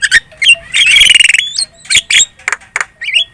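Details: Javan myna in a noisy lure song for prompting other birds to answer: a long rapid rattling trill, then separate harsh chacks and a final twisting whistle.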